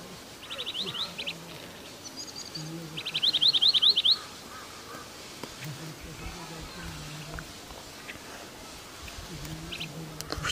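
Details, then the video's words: Long-tailed Minivet, a red and black bird, singing in a Kashmir forest: quick bursts of thin, high, sweeping whistles in short runs, then isolated notes, over a low hum and faint voices. "long tailed minivet singing"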